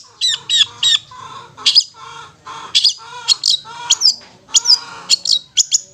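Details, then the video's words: Long-tailed shrike giving ngetet song to rouse stressed or silent shrikes: busy, varied run of harsh high notes, slurred whistles and lower warbled phrases, fairly continuous. "Terapi Suara Cendet NGETET untuk pancingan Cendet STRESS dan BISU"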